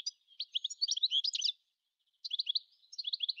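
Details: Twittering phrases from a European goldfinch, quick metallic chirps and slurred high notes in a dense run, a short pause, then two more tinkling bursts.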